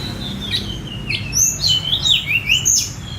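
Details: Sunda robin (tledekan gunung) singing freely, recorded by phone: a lively run of high sliding, zigzagging notes repeated in quick pulses, with faint low background hum.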